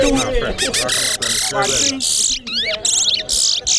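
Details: Towa towa (large-billed seed finch) singing at a bird singing competition in Corriverton: loud, high whistled phrases, sweeping notes and buzzy bursts in quick succession, with a faint murmur of people behind.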